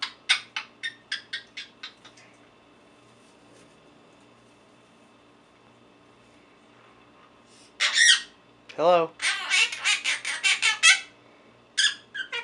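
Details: Caged four-month-old Quaker parrot at home: a quick series of clicking chips at the start, a quiet gap, then loud harsh squawks and a dense stretch of raspy chattering notes, with a person's voice nearby.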